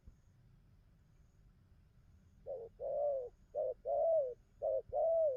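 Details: A wild-caught spotted dove starts cooing after two seconds of quiet, delivering three short-then-long paired coos in quick succession against low background noise.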